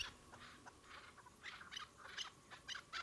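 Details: Chukar partridges, more than one, giving short broadband chuck notes in irregular bursts, some doubled, with a faint hissing background and no other clear sounds.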